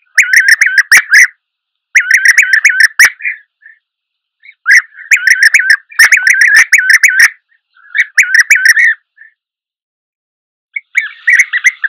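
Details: European bee-eater giving loud bursts of rolling, trilled calls in clusters lasting about a second, repeated with short silent gaps; the closing calls sound harsher and buzzier.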